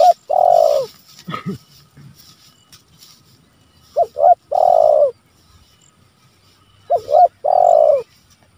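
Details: Spotted dove calling rivals, used as lure and training recording: phrases of two short clipped notes followed by a long, falling coo, repeated about every three seconds; a brief knock early on.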